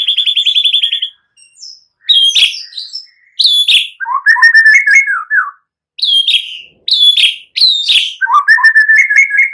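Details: White-rumped shama song for provoking other birds into singing: opens with a fast high trill, then loud downslurred whistles alternate with rapid, lower, tumbling warbles in a repeating pattern.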